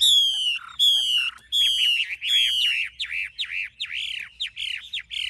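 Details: Old wild-caught Chinese hwamei with wild-type voice singing three loud, ringing whistled phrases, then a quick run of about eight arched, slurred notes, with a faint low hum underneath.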